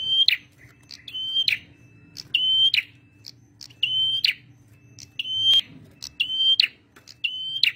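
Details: Actively singing male red prenjak (prinia), a song used for luring and training birds. Loud whistled notes, each closing with a buzzy flourish, come at about one-second intervals. Scattered sharp clicks and a soft low drone sit underneath.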